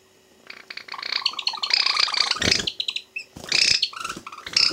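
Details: Two Java sparrows, pet birds let out of their cages indoors, fighting each other: harsh, rapid squawking and scratchy chattering in dense bursts, pausing briefly before renewed outbursts.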